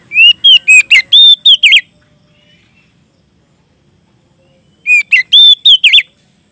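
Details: White-rumped shama singing loudly to call a rival: two bursts of rapid whistled and chirping notes, rising and falling sharply, each burst about two seconds long, with a quiet pause between and a faint steady high hiss throughout.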